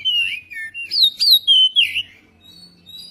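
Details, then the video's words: Magpie-robin singing as a lure: a long smooth whistle dropping in pitch, then loud rising and falling slurred notes in quick succession, trailing off into faint high tones. "pancingan kacer biar cepat gacor dan ngobra"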